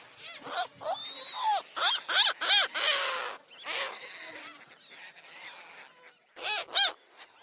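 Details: Several gulls calling over each other: harsh, nasal squawks with stacked harmonics, some sliding up then down, arriving in loud clustered bursts with quieter overlapping calls between and a final pair of sharp cries near the end.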